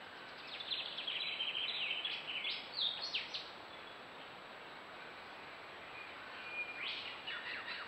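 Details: A yellow-rumped thornbill collecting wool for its nest gives quick, high, tinkling chips and twitters in bursts for about three seconds, then a shorter burst near the end, over a faint steady hiss.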